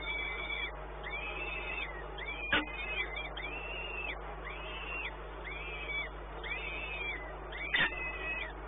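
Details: Peregrine falcon in Płock, Poland, 1 May 2019, just before 1 pm: clear, evenly spaced arched wailing notes, about one per second in a steady run, with two sharp clicks and a constant low hum beneath.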